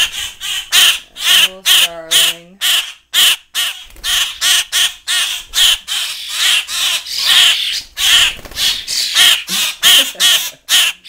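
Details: Young common grackles, hand-reared indoors with starlings and crowding for food in total chaos: rapid harsh, raspy squawks from several birds, repeated several times a second, with a brief low nasal buzzing series near the start.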